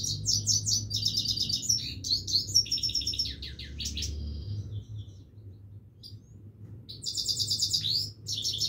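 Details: Continuous singing from a Himalayan goldfinch, a tumbling series of high, twittering trills and chattering notes, easing into a quieter stretch before another bright burst, low hum underneath.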